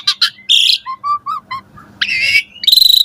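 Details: Asian pied starling singing energetically in the morning, a richly varied song used to tutor caged starlings: short high notes, a run of soft low whistles, then harsh buzzy bursts and a ringing high note.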